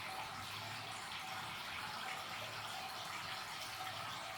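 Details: Steady running water, like a tap filling a basin indoors, fills the whole recording with broadband hiss and no animal voice.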